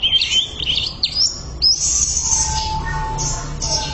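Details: Greater green leafbird, used as a tutor recording, sings fast, high, buzzy rising and falling whistles that sweep upward, ending in a long sustained high trill with a quieter steady tone underneath.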